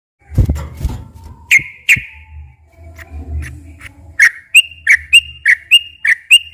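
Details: Sooty-headed bulbul song in the long, fluent 'gacor ropel' style, used as a lure to make captive bulbuls sing. Thumps and a low hum come first, then bright whistled two-note phrases near two seconds' pace quicken into a steady repeated series.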